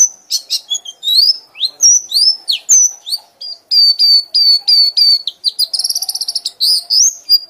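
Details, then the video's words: Loud white-eye ngekek: varied high whistles and slurred chirps, then a rapid even series of repeated short notes, followed by a fast buzzy trill and a few closing whistles. "pleci anda akan ngekek ngekek keras"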